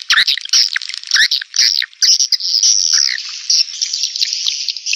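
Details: Swiftlet calling sound used to attract swiftlets: dense, rapid chattering chirps and twittering squeaks, high-pitched and overlapping, with short bursts and a nearly continuous buzzy trill toward the end.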